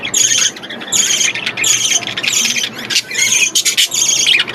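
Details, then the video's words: Young budgerigars in an aviary chatter with loud, scratchy high-pitched squeaks and chirps, calls piling on top of one another in rapid clusters over a few seconds. "কিউট বাজিগর পাখির বাচ্চা"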